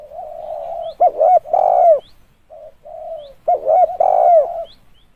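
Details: A spotted dove used to lure others gives a continuous low coo that breaks into loud hooting notes and a long falling coo, repeated twice.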